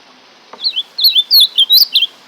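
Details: Azulão (ultramarine grosbeak) giving a brisk warbling phrase of several sweet, looping whistled notes that build in strength, heard over a faint steady hiss.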